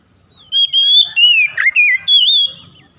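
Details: Oriental magpie-robin song played to stir reluctant birds into singing: a loud, clear whistled phrase of sliding, wavering notes broken into five quick bursts over about two seconds, on a quiet background.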